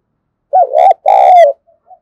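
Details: Very close, loud spotted dove coo used to rouse a decoy: a rich two-note phrase, the second note long and falling, followed by two faint soft notes.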